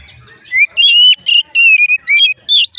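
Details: Loud, rich whistling from an Oriental magpie-robin, a song said to prompt others of its kind to start singing: rising slurred whistles alternate with short clipped notes in quick succession.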